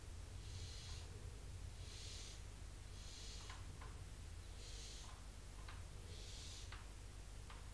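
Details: Barn owl (Tyto alba) chicks in a nest box near a visitor centre in Cabañeros National Park, Spain, give five breathy, snoring hisses with faint clicks over a low rumble, rejecting a visiting intruder female perched on the box.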